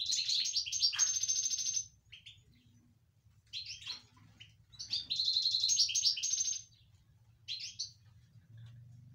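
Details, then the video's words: Caged European goldfinch in an excited state, delivering long tinkling, twittering phrases of rapid high notes, with a drawn-out burst near the start and another mid-clip, gaps between, a steady low background hum throughout. "هيجان طائر الحسون داخل السلاكة صوت ولا أروع"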